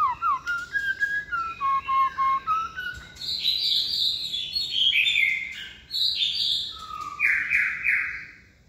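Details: Young caged white-rumped shama singing a many-voiced 'string voice' song on a table: a run of short clear whistles stepping up and down, then higher rich warbled phrases and a closing falling whistle.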